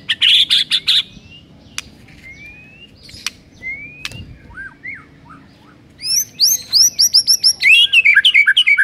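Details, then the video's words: White-rumped shama singing a master song for silent birds: a harsh chattering burst, slow spaced rising whistles and clicks, then a rapid series of repeated slurred whistled notes. "MURAI BISU DIJAMIN NYAUT GACOR DENGAR MASTERAN MURAI BATU INI"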